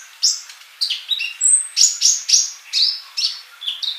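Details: Sunbird song for a tutor recording meant to make birds sing actively: rapid high sharp chirps and short whistled notes, several sliding downward, in quick bursts about every quarter to half second, with one thin high whistle near the middle.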